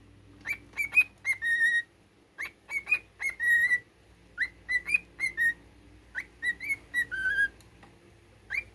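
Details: Pet cockatiel whistling a learned military tune indoors: clear, pure whistled notes with a rising swoop and short bright phrases, repeated in bursts with brief gaps, plus a low steady hum in the background.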